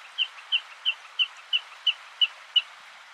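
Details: A Common Snipe of the Faroese race (faeroeensis) at Brjánslækur, Iceland, in June 2019 gives a steady series of eight short, sharp, high chips, about three a second, over a soft background hiss.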